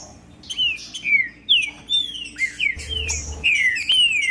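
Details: Loud Green-winged saltator song used to warm up silent captive birds: a rapid run of bright whistled notes, each sliding smoothly downward, delivered about twice a second in a lively, rolling phrase with faint background hum.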